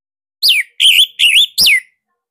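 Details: A caged Bali orange-headed thrush sings a loud 'tembakan sirtu' phrase meant as master song: four strong whistled notes, the first and last sweeping downward, the middle two wavering, evenly spaced.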